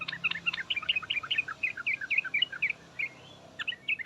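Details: Calling sooty-headed bulbul giving the 'ngriwek uplik uplik' chatter meant to provoke a reply from other bulbuls: a steady, fast string of bright, bouncing notes, fading briefly before resuming near the end.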